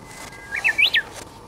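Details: Perched on the tip of a withered branch, a wild Japanese bush warbler gives a level drawn-out whistle. It ends in three bright, swooping, rising-then-falling notes, clear against quiet background.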